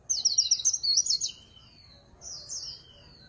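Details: Short líu pha chòe song of a Swinhoe's white-eye: one quick, high twittering burst of rapid notes followed by a softer slurred phrase after a pause.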